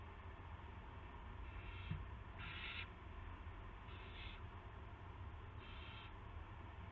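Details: Owl on March 18, 2016 at 8 PM, a gopher carried in to its mate: four breathy hissing bursts, the second and fourth strongest, each under half a second, over a background of steady humming noise.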